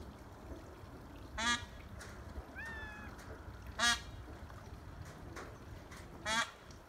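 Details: Peafowl perched on a ranch roof, calling to the others: three loud, nasal, strongly harmonic honking calls spaced about two and a half seconds apart, with a fainter wavering, falling call between the first two over steady low background noise.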